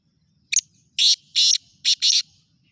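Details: Black francolin near Khushab, Pakistan, giving its grating call: a brief opening note followed by two drawn-out scratchy blasts and a final short-long couplet, the phrase lasting under two seconds with near silence around it.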